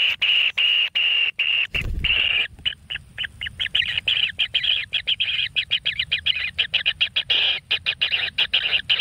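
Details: Kingfisher chick in a natural nest, fed a frog, makes a steady buzzy rasp that breaks into rapid stuttering harsh notes after a brief thump.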